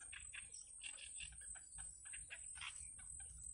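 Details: Yellow bittern chicks in a wild nest begging from their mother, giving rapid, harsh chattering calls in quick bursts several times a second over a steady high insect-like whine and low rumble.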